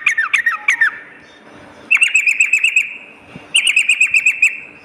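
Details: Lure and master recording of sooty-headed bulbul, morning and night. Looping chirps open, then two bursts of fast, evenly pitched trilled notes separated by a quiet spell.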